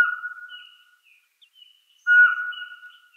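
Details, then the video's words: Eurasian Pygmy Owl giving clear, steady whistled notes on one mid pitch, about two seconds apart, in a quiet setting. "Pygmy Owl"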